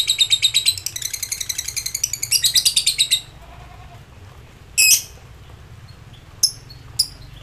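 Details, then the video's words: Lovebird in an excited, high-emotion state, giving ngekek song to call rivals: a long, fast, high-pitched chattering trill of evenly repeated notes for about three seconds, then a pause and a few sharp single chirps. "Lb ngetik NGEKEK koek memanggil lawan komplit"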